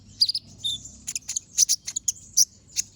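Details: Energetic brown-throated sunbird song with sharp, shot-like notes, a recording for training other birds: clusters of piercing high chirps and brief twitters, a few notes every half second, faint low hum behind.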